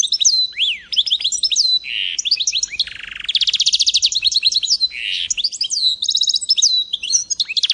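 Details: Goldfinch mule, a goldfinch–canary hybrid, recorded in 2022, singing a rich fast song of high twittering notes, rapid buzzy trills and sweeping slurred whistles, with frequent changes of phrase.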